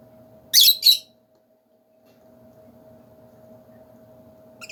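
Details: Lovebirds in a big bird cage let out one loud, harsh chattering squawk in two rapid bursts, then fall quiet under a steady electrical hum, with a faint short chirp at the end.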